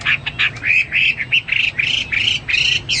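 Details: Hwamei singing vigorously: a string of slightly harsh, buzzy whistled notes delivered rapidly, some level and some wavering, with short gaps between them.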